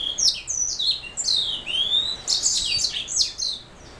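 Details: A canary-hybrid black-throat mule sings quick descending chirps, a long rising whistled slide, then a loud buzzy trill fading out toward the end.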